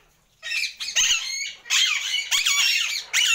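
An Indian ringneck parakeet gives harsh, high, rasping squawks in four quick bursts, each about half a second long, with a slightly nasal, wavering tone.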